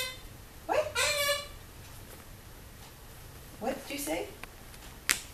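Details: A pet severe macaw checking out a visitor at the window gives two short bursts of raspy, speech-like squawks about three seconds apart, followed by a sharp click in a quiet room.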